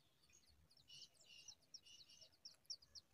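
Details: Brown rock chat nestlings beg with harsh, hissing high chirps in quick bursts, about four a second, as a parent brings brownish worms, over faint background noise.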